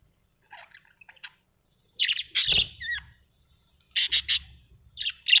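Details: Budgerigars at home with faint chirps, then loud grating squawks and a rising whistled note, followed by a burst of three harsh calls and a final sharp chirp.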